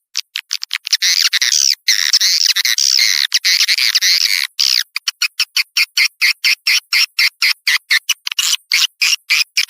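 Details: Swiftlet sound meant to lure swiftlets from outside: a short run of clicks, then buzzy chattering twitters, then a long series of evenly spaced, sharp clicking chirps.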